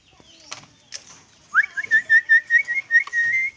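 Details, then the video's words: Caged sooty-headed bulbul singing: after a second and a half of quiet with a few clicks, a rapid run of about ten clear whistled notes near one pitch, slightly rising at the start, ending in a held whistle. "Suara asli burung kutilang dalam sangkar"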